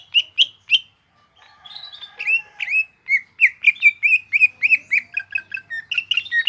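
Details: Indonesian caged greater green leafbird sings in a busy gropyokan style: three loud opening chirps, a short gap, then a continuous jumble of looping whistles and quick chirps.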